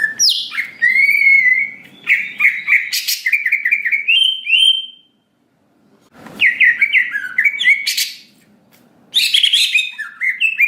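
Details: Greater green leafbird in full song for provoking responses: three bouts of sweet whistles mixed with harsh, buzzy bursts, separated by short silences.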